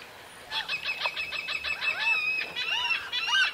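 A laughing gull gives its long call, a rapid run of nasal, yelping notes around ten per second, followed by a few drawn-out, slurred cries.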